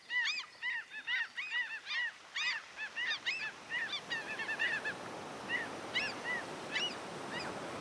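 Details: Seagull cries by the sea, gulls hanging on the wind: a cluster of repeated arched yelps that thins into scattered calls as the roar of waves and wind grows louder.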